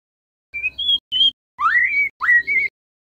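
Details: Murai batu (white-rumped shama) lure song for captive birds: a few whistled notes, then two rising slurred phrases, with a faint low hum.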